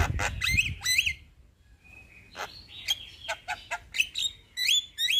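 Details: Male Javan myna in a long rolling song, played to prompt lazy mynas to respond: harsh broadband rasps and clicks mixed with sharp rising whistled notes, a brief quiet pause, then a rapid run of clipped bursts and upslurred whistles.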